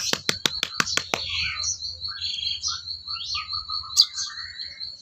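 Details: Sooty-headed bulbul song used as training material for songbirds: a rapid run of sharp clicks opens, then short mellow warbled notes and slurred whistles, with a constant high-pitched whine underneath.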